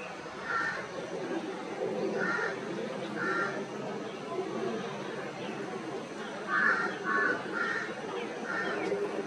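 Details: Brahminy starling lining its nest with neem leaves gives about seven short, harsh, mid-pitched notes in loose bursts, a few closely paired, over a steady rushing background noise.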